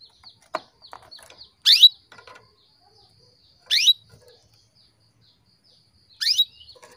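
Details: Female canary calling to stimulate males into breeding condition: three loud, sharp chirps sweeping steeply up to a high peak, about two seconds apart, with faint soft twitters between.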